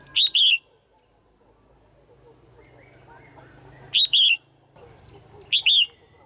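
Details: A caged female red-whiskered bulbul calls for pairing or to stimulate males: three bright doubled phrases, each a short chip and a longer falling whistle, irregularly spaced, over a low steady hum.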